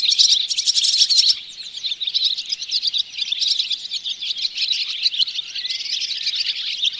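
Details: Barn swallow near the Oostvaardersplassen bird hide, Netherlands, September 2016, recorded with a Panasonic Lumix GH4: dense, high chirping and twittering, opening with a loud rapid rattling burst, then steady overlapping chatter throughout.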